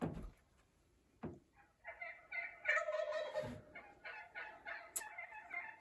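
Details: A wild turkey in winter in western Pennsylvania gobbles in a rapid, rolling burst of throaty, bubbling notes lasting a few seconds, after a couple of brief knocks at the start.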